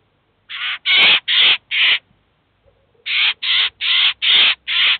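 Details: Eurasian jay with its chicks at a cheese feeder in the city of Kaluga, where the adult has brought the young to teach and feed them; two series of loud harsh rasping calls, four then five, separated by a short quiet pause.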